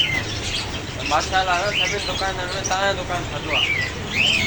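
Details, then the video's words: Parrot calls: sharp, arched squawks at the start and several more near the end, with human speech in the middle and a low background rumble. "Parrots Sound | Parrots Cute Voice"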